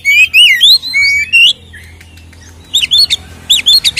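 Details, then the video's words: Captive white-rumped shama song played to provoke other birds: rich rising whistles and slurred notes, a short pause, then a burst of quick sharp chattering notes. "SUARA BURUNG Kacer gacor isian NGEPLONG TARUNG ini paling AMPUH buat PANCINGAN KACER agar EMOSI"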